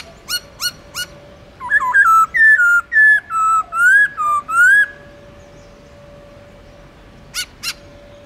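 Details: Black-throated laughingthrush, a trained pet songbird, singing in a long, slurred forest-voice style: a few sharp clicks, then a run of loud, clear whistled notes that bend up and down, then more clicks.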